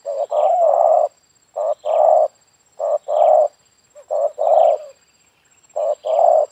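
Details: Spotted dove calling in a yard while being used to lure doves. Loud, low, hollow coos come in short groups of two or three notes, repeated about every second, with brief silences between. A faint steady high tone runs throughout.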